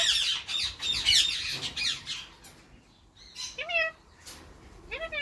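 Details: A pet male Indian ringneck parakeet (Grey Edged mutation) courting his female partner in spring. Dense grating squawks give way to a pause, then a few clear descending whistled notes with stepped harmonics.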